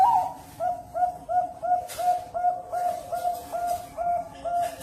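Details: A ringed zebra dove (perkutut) at a bird farm in Cirebon, Indonesia, gives a long run of soft, mellow coos, each with a quick upturned lilt, almost three per second, with faint rustling behind.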